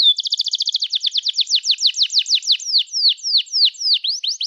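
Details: Canary 'gacor' song, a lure for learning and stalled canaries: opens with a fast buzzy high trill, then shifts to evenly spaced downward-sweeping whistles, loud and clear throughout.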